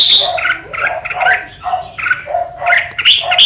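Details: A red-whiskered bulbul kept as a lure bird sings a rapid run of bright, bubbly whistled phrases, jumping between low and high notes, about three phrases a second with brief pauses.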